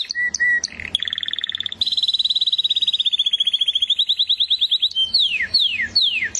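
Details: Canary song starting with short piping notes, then a long fast even trill gradually rising in pitch, finishing with a few broad downward whistled sweeps.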